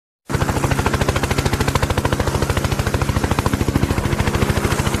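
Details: Steady, rapid mechanical rattling like a running engine starts abruptly after a quarter second and continues at an even pulse, many beats per second; no animal voice is heard.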